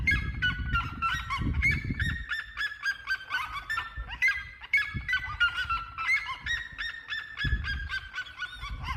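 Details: Red-legged seriemas singing: a dense chorus of loud, harmonic, yelping notes fired rapidly and overlapping throughout, some rising and some falling, with bursts of low rumbling wind noise near the start and again near the end.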